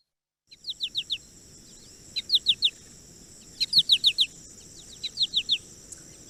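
American Goldfinch flight calls: four quick bursts of three or four high, sweet, falling notes, like 'po-ta-to-chip', over a faint steady high hiss.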